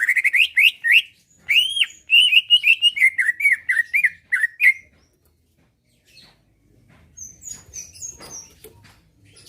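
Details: Caged Greater Green Leafbird in full song meant to draw rivals to answer and fight; fast series of chirpy whistled notes for five seconds, then silence and faint thin high notes with soft background rustling.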